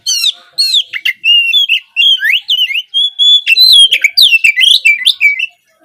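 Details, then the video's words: Oriental magpie-robin singing almost without pause, used to encourage untrained young speckled birds to sing at dawn: rich, varied whistles, slurred up and down, mixed with crisp chirps and trills. "Cocok untuk pancingan Kacer trotol bahan agar lekas bunyi di pagi hari!"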